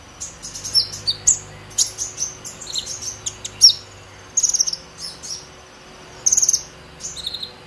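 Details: Purple-throated sunbird in 'ngobra emosi' chatter meant to stimulate young birds: very high twitters and clipped notes, with two quick rattling bursts near the middle and end; a young brown-breasted bird learning its song.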